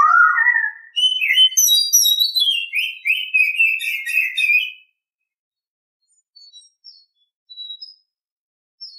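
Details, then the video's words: Oriental Magpie-Robin singing in the morning: a loud, rich run of varied whistled and warbled phrases that starts lower and climbs, then slides down for nearly five seconds, followed by silence broken by a few faint distant notes. "Nghe chim chích chòe than hót hay mỗi sáng"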